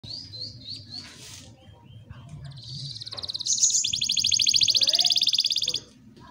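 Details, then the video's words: Canary song used as master song for young canaries and to coax quiet ones into singing: a few short rising chirps, then a long, loud, fast buzzy trill lasting about two seconds, over faint low background hum. "KENARI GACOR ‼️ COCOK UNTUK MASTERAN KENARI PAUD DAN PANCINGAN KENARI MALAS BUNYI"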